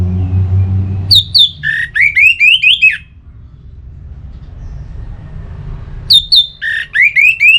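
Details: Orange-headed thrush singing, recorded in North Bali, Singaraja, and used to stimulate kept birds to sing: two bursts of about two seconds each of rapid repeated rising whistled notes, separated by a pause with low background hum.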